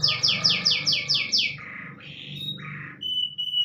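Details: Long-running song of a panda canary tutored with white-rumped shama phrases: six quick descending whistled notes in a row, then buzzy rolled phrases and a sustained pure whistle, with a low background hum.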